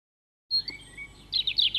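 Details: European robin singing at RSPB Leighton Moss; after half a second of silence, thin high whistled notes and glides give way to a fast cluster of sharp, trilled notes near the end.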